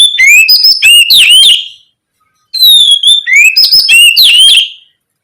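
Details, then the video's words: Oriental magpie-robin in loud, full song, played to stimulate other magpie-robins to answer and sing; two bursts of rich whistled phrases with rising and falling notes and sharp clicks, separated by a brief silence. "Terapi suara Kacer ngeplong gacor untuk merangsang Kacer apa saja agar lekas nyaut bunyi gacor"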